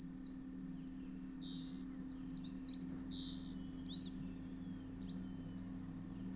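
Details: Dark Grey Bush Chat, a male feeding chicks at an earth-bank nest in the Himalaya; high thin chirps come in several bursts separated by short pauses, with a faint constant low drone.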